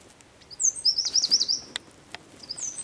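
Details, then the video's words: Eurasian wren singing in San Miguel de Daño, Zamudio, on 4 December 2019: a high, sweeping opening note, then a jittery rapid trill, with sharp clicks and the start of another phrase afterwards. "TXEPETXA KANTUAN _2019.12.04_ Troglodytes troglodytes (Chochín común cantando)"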